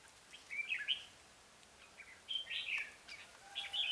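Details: Decoy red-whiskered bulbul singing to attract wild birds: three bursts of bright, twittering warbled phrases separated by short pauses, with a faint hiss behind.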